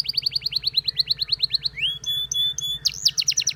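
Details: Canary song drawing chirps from the other canaries: an evenly spaced run of sharp high notes, a rising whistle into a held tone, then a fast bright trill, with a faint low hum behind.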